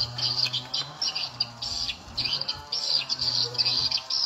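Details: Edible-nest swiftlets drawn by a lure sound played at the nine o'clock volume setting. Loud clusters of shrill chirps repeat in short bursts against a constant low tone.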